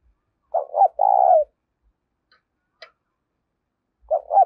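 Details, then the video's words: Spotted dove giving the urgent 'thúc' coo meant to draw wild doves closer: a quick double note runs into a long even coo, then silence, then another doubled note. "Tiếng cu gáy THÚC hay giọng hạp bổi, mở lên bổi rừng nhanh về cội"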